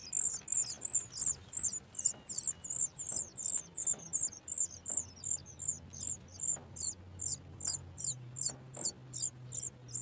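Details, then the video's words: Young Sooty chat in the nest begging for food as its mother approaches: a long run of sharp, very high chips at close, even spacing, keeping up for ten seconds with a faint low hum beneath. "Sooty chat trying, the baby bird also soars high when it hears its mother bringing food."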